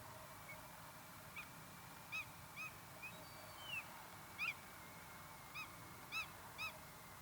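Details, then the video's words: Common redshank (Tringa totanus) at the Afsluitdijk, Holland, on 16 January 2012: short, sharp, high piping notes, about nine in seven seconds, irregularly spaced and sometimes in quick pairs, over a steady background hiss. "common redshank"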